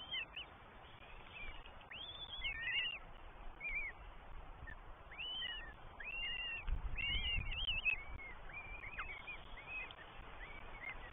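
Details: Three Northern goshawk nestlings in the New Forest beg while the parents bring breakfast, 20 May 2023, on a nest camera. Arched, piercing whistled squeals come in rapid irregular bursts, with a brief low thump midway.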